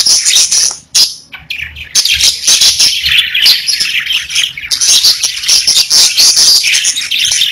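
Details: A group of pet parakeets chirping: a short sharp burst and a near-silent gap in the first two seconds, then an unbroken stream of scratchy warbling and high squeaky chirps.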